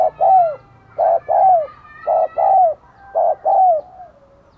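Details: Spotted dove used as a decoy to lure wild birds, cooing steadily: three two-note phrases about a second apart, a short coo then a longer falling one. The surroundings are quiet.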